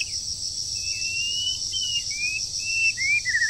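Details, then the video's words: Breeding-season song of a moulting wild bird: thin, high whistles, long and slightly rising, broken by short slurred notes and a closing stutter of downslurs, set against a loud continuous insect-like buzz. "Chim Rừng Đang Thay Lông Mà Chíên Quá • Dợt Chim Mùa Sinh Sản"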